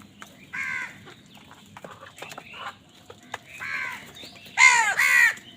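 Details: Crows squabbling over food give hoarse, downward-bending caws, short single notes at first and then a loud double caw near the end.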